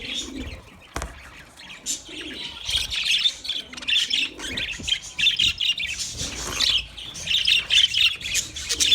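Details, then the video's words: Budgies chirping, quiet at first after a sharp click, then building into loud bursts of high squawky warbling and rapid squeaks that grow denser toward the end. "sounds of budgies chirping"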